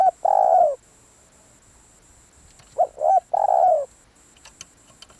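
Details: Decoy spotted dove cooing: a long falling croon ends one phrase, then after a pause comes a full phrase of two brief upswept notes and a drawn-out descending coo, with a faint steady high tone behind.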